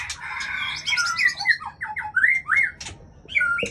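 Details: White-rumped shama, known locally as murai Aceh, a breeding female, giving short song phrases of clear whistled notes sliding up and down, mixed with harsher squawk-like syllables and a few sharp clicks.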